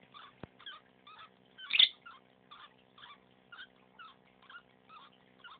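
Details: Pet female lovebird, behaving oddly for days, gives faint rhythmic chirp-clicks roughly twice a second, one at the end of each breath, broken by a single sharper squeak, against a constant low electrical hum.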